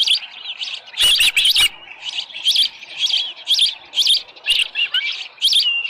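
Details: Osprey at the ranch nest, 6:52 in the morning on 24 July 2018, headless fish present; a loud harsh burst opens, followed by spaced, slightly rising whistled chirps.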